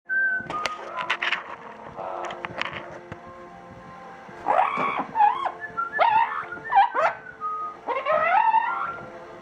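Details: Captive female double yellow-headed amazon, a hurricane survivor kept at a veterinary hospital in Glen Cove, New York, talking indoors: rising and falling whistled, speech-like phrases, with a person repeatedly asking "what are you doing".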